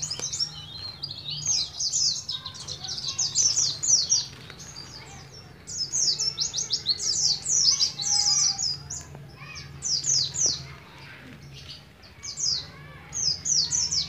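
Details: Young Oriental white-eye kept in Moga, Pemalang, Central Java, beginning the ngalas ngeroll singing style, sings several dense phrases of high, rapid, down-slurred twitters separated by short pauses, some softer warbled notes between.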